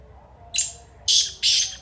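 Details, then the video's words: Black francolin, locally kala teetar, delivering a clipped phrase: a brief high squeaky note, a pause, then two loud hoarse grating bursts in quick succession. "BLACK FRANCOLIN ( KALA TEETAR) AMAZING VOICE"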